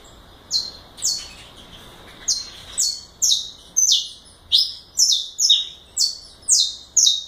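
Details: Loud, rapid galador-style song from a saffron finch: a steady stream of high, falling chip notes about twice a second, sometimes doubled into paired phrases.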